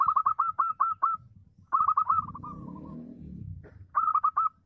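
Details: Native zebra dove singing steadily to encourage other doves to call; fast repeated staccato coos in series, a trailing softer trill, then another burst, with a brief low rumble in between.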